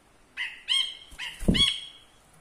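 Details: Ashy bulbul, a tutor bird for songbird training, calling in front of the camera: four harsh, twangy notes in a quick uneven series, with a low thud midway.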